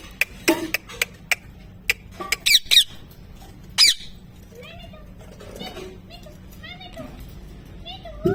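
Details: Pet parrot talking, said to repeat "mithu mithu": sharp clicks and squeaky, voice-like syllables at first, then a series of short, chirpy, wavering notes, ending with a rising squeal, indoors.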